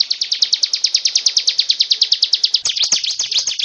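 A Mountain tailorbird sings a fast, even series of high, thin notes, about eight per second, then breaks into a quicker, jumbled twitter.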